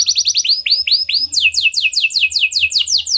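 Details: A gacor canary, sung as a lure to make other canaries sing, gives slow arched whistled notes that quicken into a steady series of downslurred high notes.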